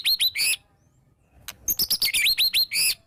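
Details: White-rumped shama singing vigorously, full of fill-in phrases, used to make other shamas start singing. Sharp upslurred whistles in a few quick notes, a pause, then a rapid string of ringing rising notes.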